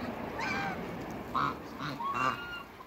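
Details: Domestic African and Toulouse geese in a backyard with other waterbirds: a few loud, nasal, harmonic honks in quick succession, the strongest near the middle and end, over steady low background hum.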